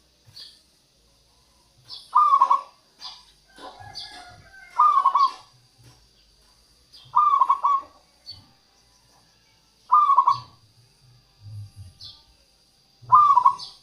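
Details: Local zebra dove, played as a lure to draw wild doves and encourage lazy singers: short rolling bursts of quick staccato coos repeated every two to three seconds, with faint low thuds between phrases.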